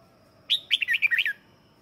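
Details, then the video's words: Red-whiskered bulbul lure song for calling wild birds: one quick phrase of about seven bright, bouncing whistled notes, with a low steady hum behind it. "Tiếng chào mào mồi hót gọi bổi má trắng, kích bổi sổ bọng hót căng lửa"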